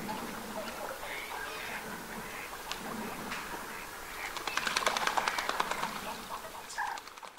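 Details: Winter northern pintails at the Aiguamolls natural park in Spain, recorded 24 January 2022, giving low nasal duck calls that build into a dense burst of rapid clicking, chattering notes midway, over constant outdoor background noise.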